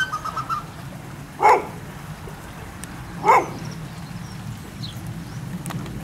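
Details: Captive African black ducks at a waterfowl ranch in Holland giving two brief, harsh, nasal calls about two seconds apart. Faint high chirps and a low steady rumble sit behind them.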